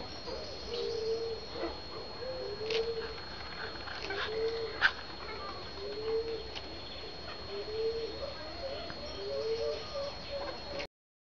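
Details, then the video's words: A satyr tragopan in courtship gives low, hollow, slightly rising moaning notes, about one every second and a half, over a steady high-pitched whine and a few clicks. "tragopan satyra courtship"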